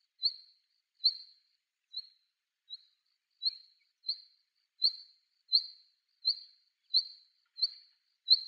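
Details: Female Black Redstart, a vagrant on Yonaguni Island, Japan, calling: short, high thin notes, about one every three-quarters of a second, each a brief slurred whistle, against a quiet background.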